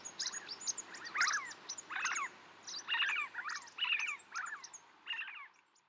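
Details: Snow partridge near Tungnath Temple, Chopta, Uttarakhand, India, at 3700 m altitude, giving harsh, grating cackles in uneven bursts about once a second, with thin, high squeaky notes threaded between them.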